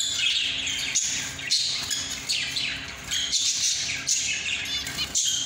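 A zebra finch sings a rapid, buzzy, nasal song of repeated chattering phrases.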